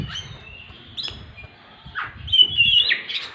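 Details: Oriental magpie-robin, a caged songbird used to prompt non-singing birds to sing; clear high whistles, a long sustained note, then a rising run of bright warbled notes, with a low rumble beneath.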